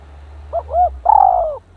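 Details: Decoy spotted dove set next to a bold, combative rival: a brief double hoot followed by a prolonged, wavering coo that slides slightly downward, over a faint low hum.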